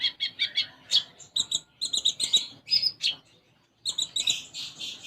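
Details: Olive-backed sunbird (konin) in energetic song with a sparrow-phrase repertoire: fast, high chirps in tight clusters, a short silence, then a renewed rapid twittering burst.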